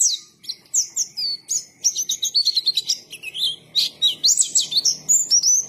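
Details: White-eye in full, busy song described as gacor ngalas: rapid high-pitched twittering of thin, sliding whistled notes, one after another almost without pause, with a faint low murmur behind.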